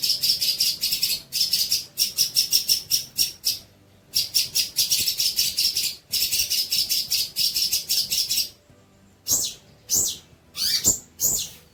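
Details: Long-tailed shrike song used as tutor material for young shrikes: bursts of rapid, buzzy high chattering notes repeated in tight runs, broken by short pauses, ending in sharper, separate sweeping calls.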